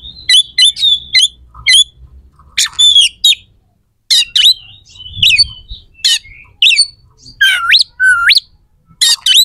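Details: Oriental magpie-robin (kacer) belting out coarse, sharp filler phrases meant to anger competing birds: clipped high chips, raspy bursts and two long whistles sweeping steeply upward near the end.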